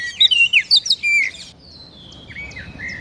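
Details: Lure song of an Oriental magpie-robin for stimulating a caged bird: a quick string of loud chirps and sweet whistles ending on a drawn-out note, followed by faint, thin whistled phrases.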